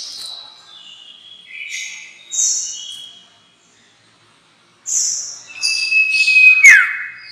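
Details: Sirtu lure call used for trapping birds: a series of varied high, short whistled and buzzy notes, some rising and some falling, with a brief pause before a long level whistle that ends in a sharp downward sweep.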